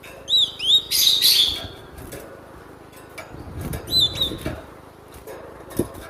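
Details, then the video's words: Cinereous tit (glatik batu), used as a lure for training birds, calls a pair of high whistled notes, then a harsh rustling burst. A further whistle follows among low background rumble. "SUARA BURUNG GLATIK BATU MASTERAN AMPUH"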